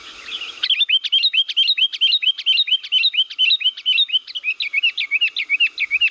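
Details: Energetic lure song of a Sooty-headed bulbul from Liwa: a soft noisy lead-in, then a fast, even chain of loud bright chirps with slurred notes, kept up without a break.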